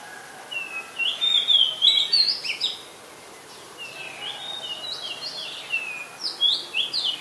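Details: Song of an Oriental magpie-robin, a very common resident, recorded 2 July 2022 in Ubon Ratchathani, Thailand. Two bursts of varied high whistled and chirping notes, quick and changeable, are separated by a brief lull, with little else audible.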